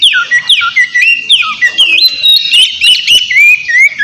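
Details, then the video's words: Noisy Oriental magpie-robin song used to bait a rival into responding: sweet downward-slurred whistles alternating with clipped chirps, roughly three notes per second, steady and unbroken. "Terapi suara KACER GACOR Ribut buat PANCINGAN KACER Lawan Langsung NYAUT"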